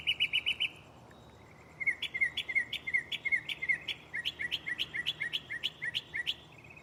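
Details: Mockingbird in a nearby tree at night shuffles song types: a quick series of bright chirps, a pause, then a long run of sharp repeated notes sliding up and down, with some insect buzz behind.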